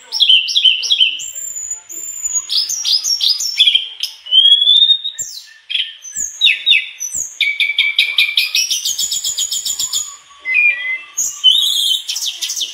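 Mangrove blue flycatcher in full, continuous song: a fast run of varied high whistles, slurred notes, short trills and borrowed phrases. It changes pattern every second or two.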